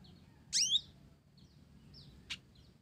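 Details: Olive-backed sunbird of the blorok (mottled) variety, singing actively, its song filled with Java sparrow phrases; a loud, sharp, downslurred high chirp, then a short, thin note and faint high ticks.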